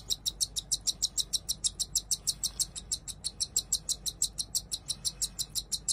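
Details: Cockatiel chicks, two siblings of very different size, begging while being hand-fed: rapid, regular high chirps repeated about three times per second throughout, steady and insistent.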